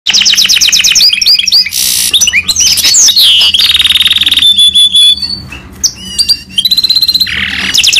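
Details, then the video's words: A goldfinch mule (Himalayan goldfinch mule) sings a fast, varied finch song: bright twittering trills, buzzy rolls and clear high whistles run together with barely a pause. "Top Mule Himalayan Finch Sound Goldfinch Full rolling time Sining"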